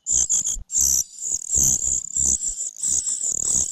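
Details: Parasitic cuckoo chick begging from its foster mother, repeatedly failing to grab food and pecking at her: loud, hissing, high-pitched squeals in rapid bursts, with soft low thumps and rustling beneath.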